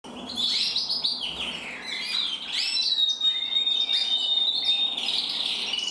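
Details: Two male canaries, one intensive red-black and one red-black frosted, singing together: dense, fast twittering and rolling trills with bright chirps and a long steady whistled note near the middle, continuous throughout.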